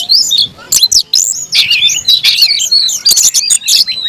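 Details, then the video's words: Oriental magpie-robin kept in a cage giving a combative fighting song, a continuous jumble of bright whistles, buzzy trills and scratchy chatter at high pitch. "kacer gacor tarung ngotot agresivitas"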